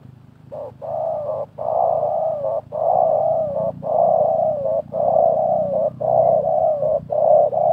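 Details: Spotted dove coos during a 2024 contest between a decoy dove and a wild one: a loud, nearly continuous run of husky, even-pitched coos broken by brief gaps, close and slightly harsh-sounding.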